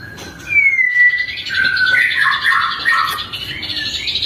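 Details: Shama song played as a lure to get other shamas singing mornings and afternoons: a sliding clear whistle, then a jumbled stretch of mellow warbled notes over a high buzzing background.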